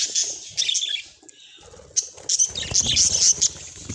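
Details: Pet budgerigar giving high, clipped chirps and squeaky whistles in small clusters, quieter in the middle, then a livelier run of sharp tweets. A soft low patter is heard in the background.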